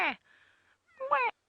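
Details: Grey go-away-birds on an African safari drive on the afternoon of 10 July 2016 give frantic alarm calls at a pair of African hawk eagles: two nasal, harmonic 'gwaay' notes about a second apart, with a faint buzzy murmur between.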